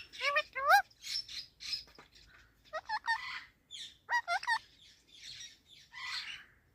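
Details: Talking Indian ringneck parakeet: a quick jumble of wavering, whistled and warbled notes with bubbly, rising and falling phrases and raspy chatter, in short bursts separated by brief pauses.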